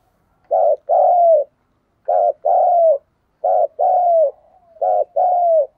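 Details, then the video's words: Spotted dove decoy bird calling in the urging coo style, four steady pairs of a short burry coo and a longer gently falling coo, evenly spaced over the stretch. "Tiếng chim cu gáy thúc gù"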